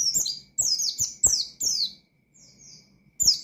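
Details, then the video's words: Oriental white-eye singing energetically in ngalas style with shooting notes to stir up rival birds: quick run of shrill, falling chirps, a brief faint phrase after a pause, then another sharp burst. "Burung Pleci Gacor Ngalas Nembak Mangil Lawan,Memicu Emosi Pleci Bahan"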